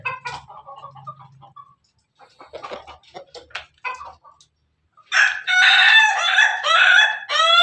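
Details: Pelung chicken crowing at night: quiet scattered clucks and scratchy sounds, then a loud, long, harmonic-rich crow begins after five seconds, rising and falling in pitch with a brief break before its drawn-out end.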